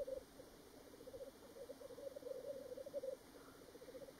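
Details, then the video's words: Black grouse recorded on Ruabon Moor at Worlds End, North Wales, 25 March 2018, giving a rhythmic low cooing bubble in quick pulses that swells, then softens after about three seconds. "Black Grouse at Worlds End Ruabon Moor North Wales on 25th March 2018"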